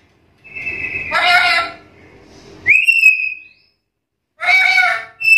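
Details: Black-capped lory challenging rivals: a steady whistle near one pitch, then a harsh, buzzy, harmonic-rich screech, a rising whistle that levels off, and another rasping screech.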